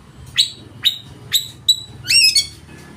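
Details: Oriental magpie-robin singing loudly, meant to provoke rival birds into singing and spreading their tails: sharp separate chirps about every half second, then a short burst of mixed rising notes.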